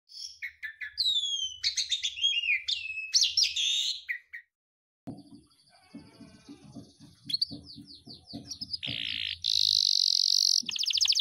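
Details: Agitated domestic canary singing before a singing contest: varied song of sweeping whistled notes and buzzy rattles, a brief pause, then chattering notes, a harsh sustained buzz and a rapid high trill.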